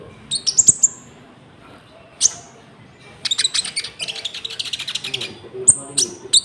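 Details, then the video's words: Common Iora singing with inserted cricket-like sounds, a lure for trapping and for teaching caged birds; a few sharp high chips, a pause, then a dense buzzy rattling stretch and more high whistles. "PANCINGAN GACOR BURUNG KONIN ISIAN JANGKRIK"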